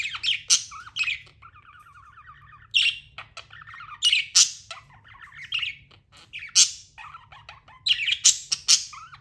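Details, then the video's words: Budgerigar chirping: irregular sharp squawks and chirps mixed with a fast warbling, chattering run of notes, uneven spacing, with a low steady hum underneath. "Amazing budgie chirping sounds"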